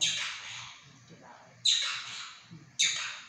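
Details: Pet monk parakeet, kept at home and known for talking in Chinese: three harsh, raspy squawks, each starting abruptly loud and fading over about a second, with a low indoor hum underneath.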